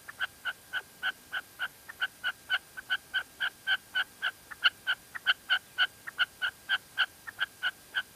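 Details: Rapid, fairly steady series of short sharp notes, nearly four per second, from a female red-legged partridge in La Mancha, Spain; a faint steady tone runs throughout.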